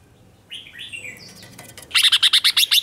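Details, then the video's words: Newly caught red-whiskered bulbul singing competitively to stir rival birds: soft slurred warbling notes, then a loud, rapid string of about eight sharp, evenly spaced chips. "Kích Chào Mào Hót Ché/ Kích Chào Mào Bổi Hót Đấu Mới Nhất"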